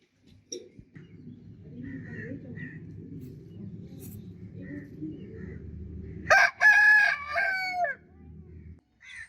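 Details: Several seconds of low, murmuring clucks and soft chatter come first. Then a rooster lets out one loud cock-a-doodle-doo with a stretched, falling last note, and the quiet low murmur continues after.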